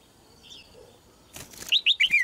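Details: Female Red-whiskered bulbul song. A burst of fluttering, flapping noise leads into a fast phrase of four loud, rolling whistled notes, the final one sliding down. A couple of soft, faint notes sound earlier.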